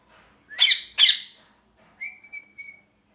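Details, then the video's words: A parrot calling: two loud harsh squawks in quick succession, followed by a thin steady whistle and a couple of soft short notes. "Parrot Chirping Sounds | Natural Parrot Sounds | Parrot Calling Sounds"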